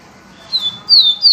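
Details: Yellow-bellied seedeater, singing pure viviti song: three high whistled slurs, each falling slightly, the later two louder and longer, over a quiet hum.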